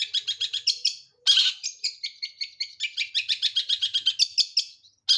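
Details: A long-tailed shrike sings busily from one spot, giving rapid runs of high, scratchy chirps, a harsh burst, then a long even series of quick repeated notes before a short break.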